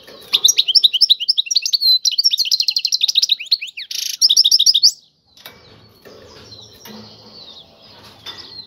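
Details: Tiwawati-style song of the European goldfinch. Five seconds of rapid, high rattling trills and twitters, broken by a brief harsh burst, give way to a quiet background hiss and faint knocking.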